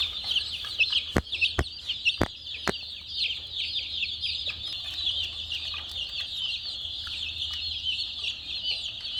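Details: Many chicks peeping together, a dense continuous chorus of high, short overlapping chirps, with several sharp clicks or knocks early on and a low hum underneath.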